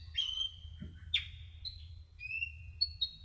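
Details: Sunbird (kolibri ninja) song for masteran tutoring: long thin whistled notes held steady, broken by sharp downward chip notes, ending in short high whistles over a faint low hum.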